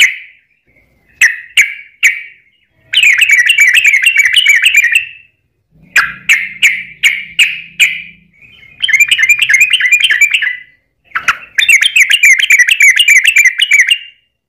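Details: Trucukan used as a lure to make other birds sing: bursts of rapid, bubbling, repeated notes around a steady mid pitch, separated by short pauses, with a few sharp single chips at the start.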